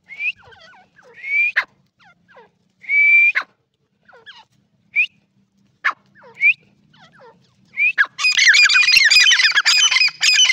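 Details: Captive-kept partridge known locally as Irani teetar, giving short whistled notes that sweep upward, repeated roughly every second, with faint lower chirps between, then a dense harsh chattering burst for the last two seconds.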